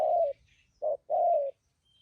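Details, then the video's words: Spotted dove kept as a trapping decoy with a fine voice; a long slurred coo, a brief pause, then a short clipped coo and another drawn-out falling coo, with faint twittering in the background. "Bấy cu gáy bổi thổ tốt tiếng , hàng thúc gù"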